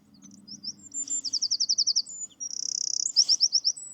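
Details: One of two Eurasian wrens in a UK woodland in spring, thought to be nesting right by the hide and alarm calling earlier, gives rapid, high, ticking notes in fast rattling bursts, about four a second, over a faint low hum.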